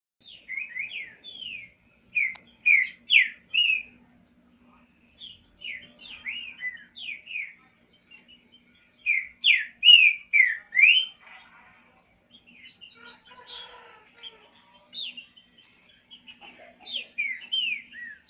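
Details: Green-winged saltator song used to warm up other saltators: loud, rich whistled phrases of slurred notes delivered in short bursts with brief pauses.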